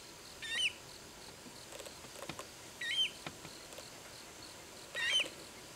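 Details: Juvenile Eurasian coot, still small, calling for its parent while swimming off alone to search for it, Aomori, Japan, September: thin rising-falling squeaky peeps roughly every two to three seconds, with faint clicks and splashy background.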